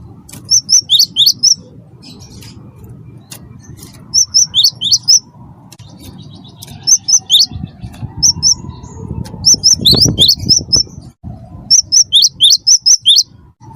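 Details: Chattering wingko-type cinereous tit singing to provoke other birds: five separate bursts of fast, high, paired notes at steady intervals, with a low hum and a faint rising tone behind.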